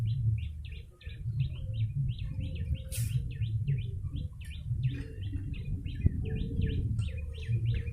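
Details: Busy, unbroken chirping of a yellow-bellied prinia for luring birds, each note short and sharply falling, rattled off in quick succession, with low rumbling noise and a single click-like burst early on.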